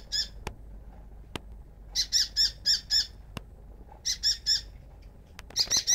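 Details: Baby oriental magpie-robin at a house calling its mother to be fed: harsh, high squawky notes in quick bursts of three to five, separated by short pauses, with a few sharp clicks between.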